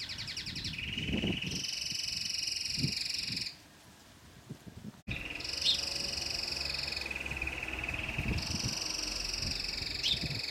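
A domestic canary sings long, rapid trilled rolls, each held at a steady high pitch, with a brief pause midway; low thumps and faint background noise underneath.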